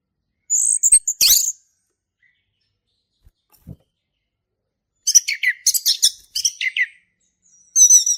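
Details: Male orange-headed thrush performing ngeplong song, used to train young birds: high thin whistles and scratchy notes opening, a quiet gap, then a run of rapid, buzzy, varied phrases and a final high trill.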